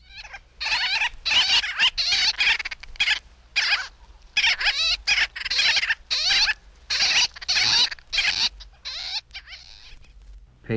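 Gull-billed Tern giving harsh, nasal, raspy calls in quick bursts, some paired, about one and a half per second, against a quiet background.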